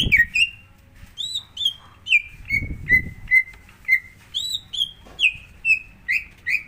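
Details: Greater green leafbird song meant to coax another bird into singing: a steady chain of clear whistled notes, some sliding down, others rising higher, about two per second, with low thumps in the background.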